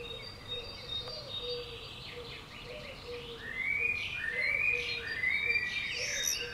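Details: Common swift 'bangers' at a house in early June: rasping, buzzy screams build midway, with clearer sliding whistles and a low repeated piping from other birds in the background.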